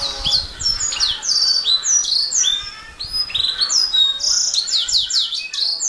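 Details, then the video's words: Canary singing a fast, continuous song of high downslurred whistles and sweeping notes, broken by short buzzy trills, with phrases running almost without pause. "Kicau Burung Kenari"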